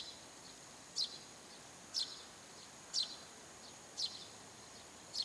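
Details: A Eurasian tree sparrow calls persistently from a rooftop at about 7 a.m. in early morning, giving short, bright chirps about one each second, five in a row, over a steady high-pitched background hiss.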